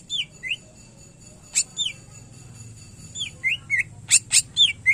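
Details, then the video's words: Cucak ijo (greater green leafbird) singing gacor: curved whistled slurs with a few sharp broadband snaps, then a fast run of loud clicking notes mixed with more whistles near the end. "Cucak Ijo Gacor Isian Pilihan Terbaik"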